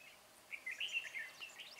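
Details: A bell-voiced decoy red-whiskered bulbul used for trapping wild birds, 13 March 2020, gives a quick, bubbling, warbled phrase of several linked notes lasting about a second, over a low background hiss.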